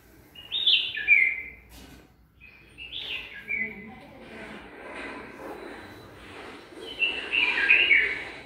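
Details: A bulbul, with its mate readying a nest in a garden, repeats sweet whistled phrases three times over several seconds, the last overlapping with soft background rustling.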